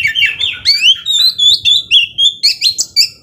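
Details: Oriental magpie-robin in rapid song to provoke a slow-tempered rival: continuous run of quick, bubbling whistled notes, rising and wavering, about two notes per second-fraction in tight succession.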